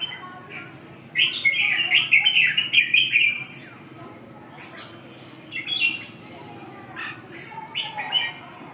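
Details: A long run of lively chattering warbles from a red-whiskered bulbul, then a quieter gap and several shorter whistled snatches, the notes quick and slurred together.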